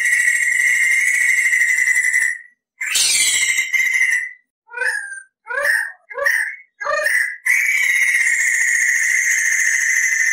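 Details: Lively crested laughingthrush rolling long and clear on a tutor recording for training songbirds: sustained buzzing trill, then a string of short rising whistled and chuckling notes, then the long trill again.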